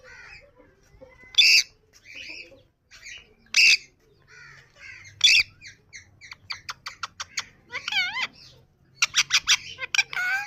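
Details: Yellow pet rose-ringed parakeet calling: loud harsh squawks roughly every two seconds, then fast runs of short chattering notes and a few bent, warbling whistles, ending in a dense burst of rapid squawks.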